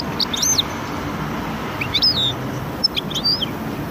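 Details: Goldfinch × canary hybrid singing: scattered high whistled notes and slurred descending phrases in short bursts over a steady low hum of background noise.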